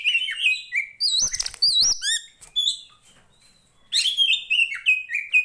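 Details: Oriental magpie-robin of the poci Tretes type, a fighting bird in full active song, used to train the mettle of similar birds: loud whistled, slurred phrases with rising and falling notes, a brief quiet gap, then renewed rapid whistling.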